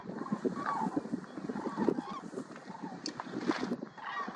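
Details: Common cranes (Grus grus), a flock flying at sunset on 29 September 2021 over Hrodzenskaya Svislach nature reserve, Berastavica district, Hrodna region, western Belarus; overlapping rough honking calls come in bursts over steady broadband noise.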